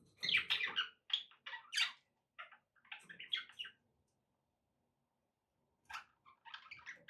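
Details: Pet budgerigars give rapid, squeaky chirps and warbles in a busy run, go quiet for about two seconds, then resume with brief, scratchy chatter.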